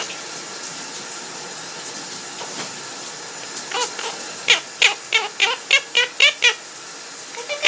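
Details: A pet parrot singing while its owner showers gives a quick series of short, bright chirping notes, about four per second, over a steady rushing hiss of running shower water.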